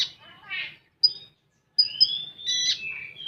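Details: A konin (common iora) singing 'full tembakan': a scratchy warble, isolated high pips separated by gaps, then a rising whistle that flows into buzzy, wavering notes.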